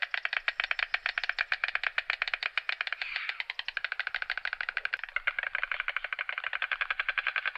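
White stork bill-clattering: a fast, dry, wooden rattle of rapid clacks that runs steadily for several seconds with little change in pace. Nothing else stands out.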